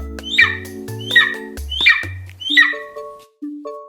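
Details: Golden eagle giving a run of four thin, descending squealing yelps, closely spaced, with music playing underneath and continuing after the calls stop.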